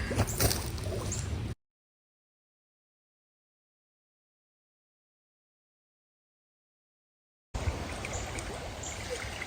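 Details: Rushing water and broadband noise for a second and a half, then about six seconds of silence before the water returns; no animal voices.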